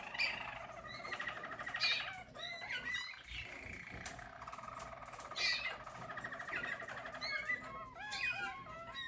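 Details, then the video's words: Yellow Harz German Roller canaries, a 2022 team, singing: continuous low rolling trills with repeated upslurred whistled notes, several loud bursts around the second and fifth seconds. "Harz German Roller Canary singing"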